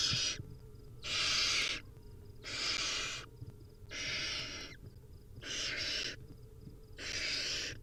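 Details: Hungry wild barn owl nestlings at feeding time, producing a regular series of harsh, breathy hissing screeches about every one and a half seconds, six in a row, against a quiet background.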